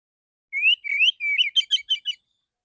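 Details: Clear 'tembakan' song of a male Oriental magpie-robin in a therapy recording: a series of rising whistled slurs speeding into six or seven short, quick, bright notes.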